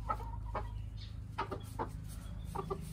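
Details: Chickens in a coop at feeding time: hens chasing each other and attacking the one cockerel while two try to lay eggs. Short, clipped clucks come singly and in pairs, spaced about half a second apart over a low rumbling background.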